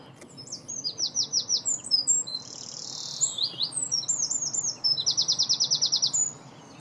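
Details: A European greenfinch calls while feeding, filmed in 2017: quick high twittering notes and fast trills repeated several times a second, broken by one long, flat, buzzy wheeze in the middle, with faint background hum.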